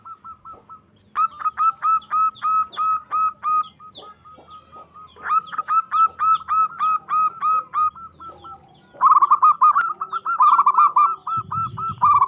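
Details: Local zebra dove singing loudly in a bid to provoke rival doves into answering: rapid series of short, even cooing notes, about four per second, in repeated bursts separated by brief pauses, louder and denser near the end.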